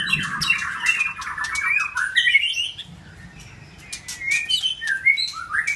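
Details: A new White-rumped shama male challenges a rival male with bursts of song: a fast run of varied whistles and chatters in the first two seconds, a brief lull, then rising whistled phrases resuming toward the end.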